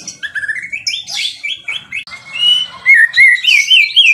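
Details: Energetic White-rumped shama song of rapid varied phrases, rising whistled notes, buzzy bursts and sharp high chips, turning louder toward the end with clear repeated whistles.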